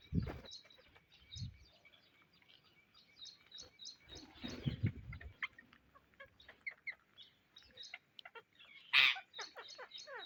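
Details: Indian ringneck parrots searching for seeds keep up steady high chatter of clipped squeaks and short slurred notes, with rustling thumps in the middle and one sudden loud screech toward the end.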